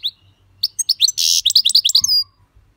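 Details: European goldfinch giving a brisk, tinkling phrase of quick chirps around a dense buzzy burst, ending in a drawn-out thin whistle; a low hum sits underneath.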